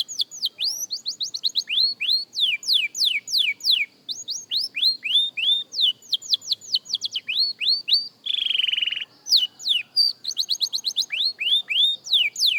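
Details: Practising young canary sings steadily for over twelve seconds: quick repeated falling sweeps in groups, a brief low buzzy rattle midway, then resumed cascading whistles.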